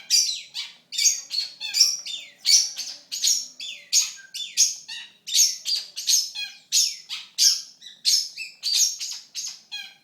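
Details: Long-tailed shrike (pentet), an Indonesian competition songbird able to mimic many sounds. It repeats sharp, scratchy, high chattering phrases about one and a half times per second in a steady, insistent series.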